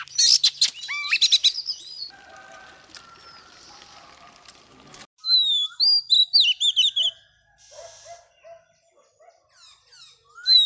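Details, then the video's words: Wild-caught female Oriental magpie-robin singing to excite males: a quick burst of high whistles and chatter opens, a quieter stretch of faint background sounds follows, then a second run of slurred whistled notes. "Choè than mái bổi lên giọng hót kích trống cực chất"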